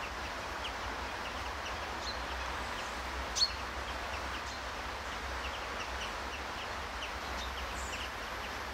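Faint, short chirps from a Eurasian tree sparrow repeat in scattered bursts over a steady hiss of outdoor background noise, with one louder click midway.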